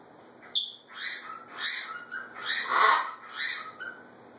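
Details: A bonded macaw pair interacting, one having just come out of the nest box to the other, gives a run of hoarse, squawky calls, roughly every half second, with one louder, harsher squawk near the end.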